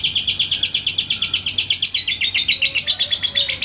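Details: Lovebird, a yellow lutino type, singing a long ngekek in Indonesia after being provoked by a rival's song: a fast, even chattering trill of sharp buzzy notes, high-pitched and continuous throughout.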